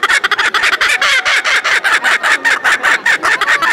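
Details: Kookaburra exhibited at a May 2019 poultry fair in Beauvais, France, in full raucous laughter: fast, loud, throaty cackles, some notes bending upward, tumbling out about two or three per second.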